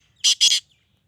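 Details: Sindhi black francolin; two loud, harsh, grating notes in quick succession, the second longer, in a quiet setting.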